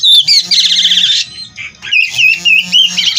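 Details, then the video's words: Kacer, an oriental magpie-robin from a breeding aviary, singing a full, lively song with imitations: loud whistled and buzzy phrases high in pitch, rapid trills and warbles, a brief pause, then renewed whistled notes. "Burung Kacer Gacor Full isian"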